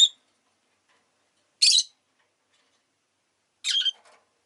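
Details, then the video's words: Rosy-faced lovebird calling with three clipped, scratchy high chirps at roughly two-second intervals in an otherwise silent setting. "Lovebird Chirping Sounds"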